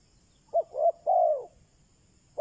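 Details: A single cooing phrase from a decoy spotted dove meant to attract wild doves: a short coo, a rounder second coo and a long falling coo, followed by the start of another.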